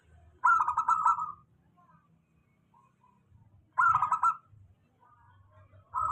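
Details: Local zebra dove singing steadily, a recording meant to coax lazy doves into song; two rolling, rippling cooing phrases three seconds apart with a third beginning, faint low rumble beneath.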